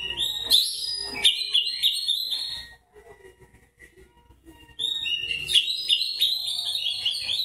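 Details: White-breasted Oriental magpie-robin in narung fighting song, ngobra style: two loud bursts of fast ringing whistles and sharp chips, separated by about two seconds of near silence.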